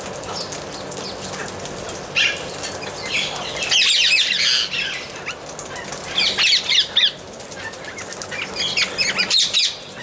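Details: Amazon parrot giving loud, harsh, broadband squawks in bursts, about three clusters, over a busy background chorus of many smaller chirping birds.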